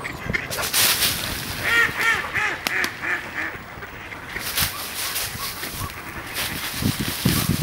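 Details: Ducks fighting on ice: harsh, irregular quacks and honking calls in quick bursts, several birds calling together over splashing and scuffling sounds.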